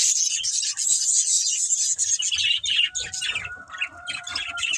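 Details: Breeding pair of budgerigars chirping with high, buzzy warbling, a thin sustained whistle running through the second half, and soft low background rumble.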